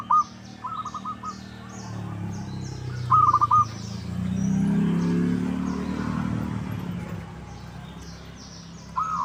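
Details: Local zebra dove lure call: brief pulsed rolling phrases at the start, again near three seconds and at the end, separated by a broad stretch of rushing noise, with high chirping of small birds throughout.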